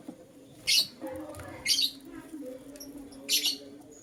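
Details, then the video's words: Lutino lovebird chirping in the morning: three loud, shrill, harsh chirps spaced about a second apart, with a soft low hum and faint rustling in between. "Lutino LoveBird Chirping Sounds"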